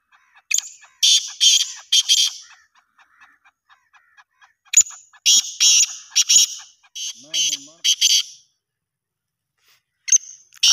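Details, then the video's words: Black francolin in Pakistan calling: two loud harsh phrases, each a sharp opening note followed by four grating, buzzy bursts, with brief faint voices between them. "Pakistani Best Kala Francolins Birds Voice"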